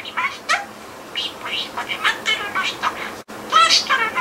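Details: Pet budgerigar chattering freely, rearranging learned words into new invented phrases indoors; a rapid stream of short, warbled, speech-like syllables and chirps with a brief break before a final burst.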